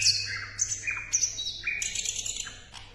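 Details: Tutor recording of an Asian brown flycatcher (sikatan londo) singing: a string of high sliding whistles, each dropping sharply in pitch, with short chirps in between, repeated about every half second and fading toward the end.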